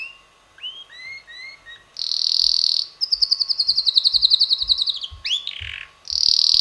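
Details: Red male canary, about half a year old, singing: a few soft rising whistles, then a high buzzy roll and a rapid chattering trill, with faint low thumps beneath.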